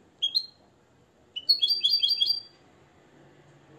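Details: Nest-raised European goldfinch from Morocco, schooled in the limpio song style, gives two quick upward notes, then a fast, bright trill of tinkling twitters lasting about a second in a quiet room.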